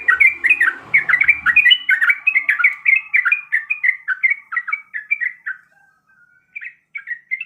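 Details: Female yellow-vented bulbul in breeding condition calling the male: a fast run of bright, chattering two-note chirps, each dipping and rising, slowing and fading toward the end, with a few low thuds at the start.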